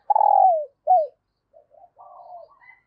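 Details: Female dove calling to stimulate males: a loud, low, steady coo that slides downward at its end, then a short bent coo, followed by softer, broken cooing notes.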